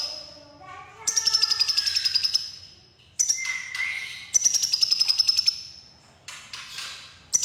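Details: Red-breasted crimson sunbird (konin) producing extended high rattling trills, with a lower whistled tone underneath and a few faint descending notes at the start.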